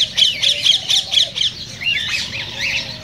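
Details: Cockatiel vocalising, offered as a sound to stimulate mating: a quick series of about six sharp, high squawking chirps in a row, then softer slurred whistles and chatter fading out.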